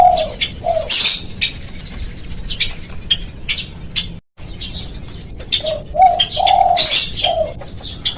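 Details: Spotted dove lure for prompting birds to call. Brief low coos open the clip and a fuller three-note coo phrase follows near the end. Between them come chirps, flapping-like bursts and a short silent gap.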